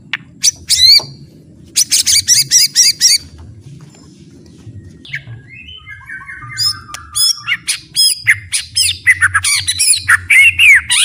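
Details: White-rumped shama tutor song: bursts of harsh rapid buzzy trills, a quiet gap, then a descending run of squeaky notes and varied sharp whistles and chattering phrases, over a low steady hum.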